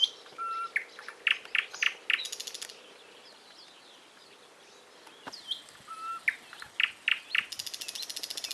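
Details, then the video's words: Bird song in bursts of sharp, rapidly repeated high chirps, a pause of near quiet, then another run of bright notes ending in a fine high rattle. "голоса птиц"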